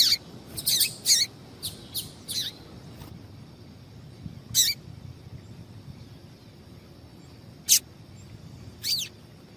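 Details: Double-collared seedeater female call, meant to stir a male into song: a quick burst of several sharp, high chirps at the start, then single clipped notes spaced a few seconds apart against quiet background noise.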